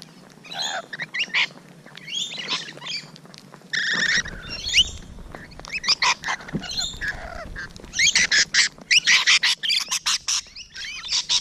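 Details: Rainbow Lorikeets at close quarters, 12 June 2017 in the morning, producing rapid series of piercing, grating screeches and squeaky chatter, growing louder and busier toward the end.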